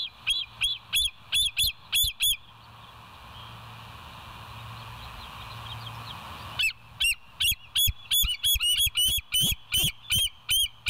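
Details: West End bald eagles on a live nest cam, 20 July 2023, 05:04. Shrill, piping chirps come in two fast volleys separated by a quiet gap, the second denser and more excited, with steady background hum.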